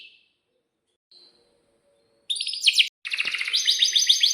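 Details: Canary song used as a lure for young canaries learning to sing: mostly quiet at first with faint notes, then dense, buzzy rolling trills broken by one short gap.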